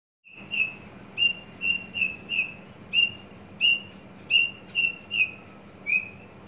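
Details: {'caption': "Caged, tame adult male Horsfield's bush lark, newly coming into breeding condition and readied for song contests, gives a string of short clear whistled notes about every half second, ending in higher thin whistles."}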